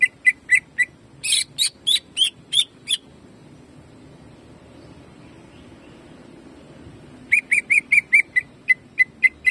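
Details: Greater green leafbird giving jamtrok shooting phrases: a burst of quick whistled notes and harsher chirps, several seconds of quiet, then another rapid string of bright repeated whistles.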